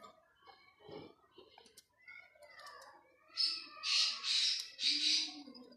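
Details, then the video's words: Black francolin calling in a hunting context: after softer mixed sounds, four loud rasping, buzzy notes run together in a quick grating series, with a faint lower tone beneath. "Titer ki best awaz, Kala titer, black francolin calling for hunt"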